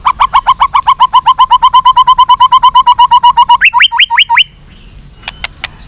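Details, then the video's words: White-rumped shama delivering a long fighting song: a fast, steady rattle of about thirty identical low notes, then four rising upslurred whistles, a pause and two sharp clicks. "chòe lửa kéo dây dài cực phê. đập tạch đuôi kích đấu. chòe lửa hót giọng dài kích lửa"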